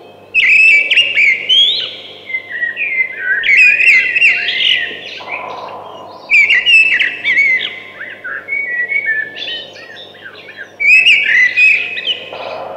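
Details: Four loud whistled, warbling thrush phrases come roughly every three seconds, each opening with bright notes and ending in lower, tumbling trills.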